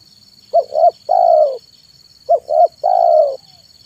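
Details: Spotted dove (tekukur) kept as a lure, singing in the afternoon: two phrases, each a pair of short hoarse hoots leading into a long, gently falling coo, a faint electrical hum behind.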